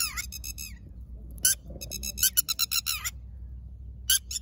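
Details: Wild red-wattled lapwing at its ground nest during egg laying, giving loud, shrill, strident notes in quick bursts, including a rapid run of about eight sharp calls, over a low background rumble.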